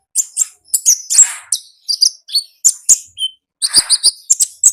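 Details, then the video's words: Konin singing energetically with no background noise: very high, sharp twittering notes and short trills in quick clusters, some buzzy bursts, broken by brief pauses. "AUDIO KONIN GACOR NGALAS Suara Asli Alam Liar"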